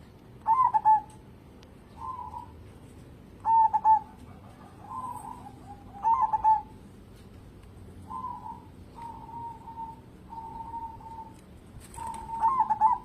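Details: Local zebra dove singing actively, kept to lure other birds into song: soft trilled cooing phrases near one pitch, some sharp and rolling, others quieter and smoother, given about every one to two seconds against a faint hiss.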